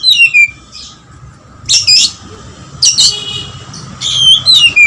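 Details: Oriental magpie-robin singing hard with lovebird-style phrases: falling whistles at the start, then three loud, harsh, buzzy chattering bursts about a second apart, with a low hum beneath.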